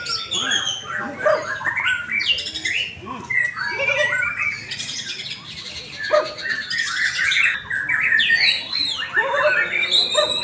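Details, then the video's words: White-rumped shama singing during a practice contest in Indonesia. Loud whistled slurs alternate with sharp, scratchy rattles and short pauses, and other contest birds are audible in the background. "LOMBA BURUNG | Murai Batu"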